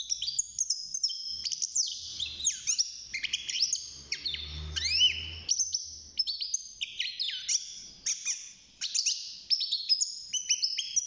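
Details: Six-month-old caged male European goldfinch beginning to sing: long, rambling high twitter of rapid chirps, falling slurs and buzzy trills, almost without pause; faint low hum in the background.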